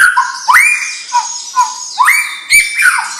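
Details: White-rumped shama, a young bird of champion bloodline, singing loud whistled upslurred notes that rise sharply and then hold level. Phrases repeat roughly every half second, with buzzy high overtones and short clicks between them. No other sounds stand out.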